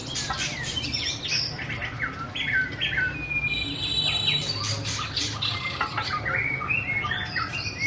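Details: White-rumped shama singing: varied short whistled phrases and slurred notes at mid to high pitch, with a brief buzzy rattling trill near the middle, over a steady low hum.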